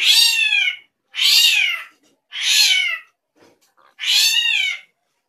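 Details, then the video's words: Drongo making unusual sounds: four harsh, nasal, cat-like mews, each under a second long and arching downward, separated by short pauses in a quiet setting. "SRIGUNTING KRANTIL SUARA ANEH"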